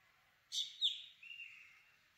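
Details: Black drongo (Dicrurus macrocercus) giving one short phrase: a sharp, harsh burst, then a bright high note and a long, thin, slightly falling whistled tail that fades out. Quiet background.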